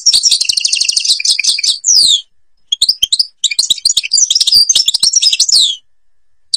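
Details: European goldfinch from Algeria, Babas forest: fast twittering song high and bright, rapid trills and buzzy notes with downslurred whistles, breaking off after two seconds, then resuming in tinkling bursts.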